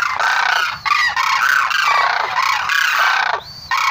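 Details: Sarus crane calling: a near-continuous run of loud, rasping trumpeted notes from more than one bird, with barely a break across four seconds.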